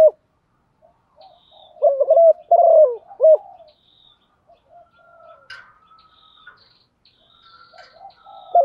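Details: Female spotted dove calling to stimulate males to coo: one clear phrase of mellow stuttered and drawn-out coos, followed by quieter, fainter notes and a soft coo at the end.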